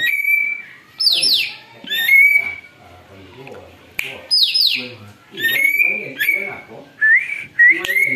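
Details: Lure recording of a greater green leafbird said to mimic an eagle: steep descending screech-like sweeps mixed with sustained level whistles, delivered in bursts with short pauses, faint low background sounds.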